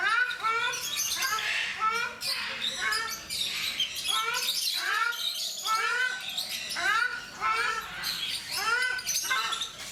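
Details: Ruddy shelducks (Brahminy ducks) kept at Mysore Zoo, India, call almost nonstop: a dense run of nasal, arched honks, several birds overlapping, roughly a dozen calls across ten seconds.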